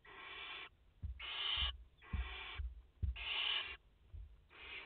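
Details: Barn owls, a mother and four chicks at their nest in France, recorded live 30 August 2021: five fairly soft, wheezy hissing bursts at a steady pace of about one per second, mixed with low thuds and knocks.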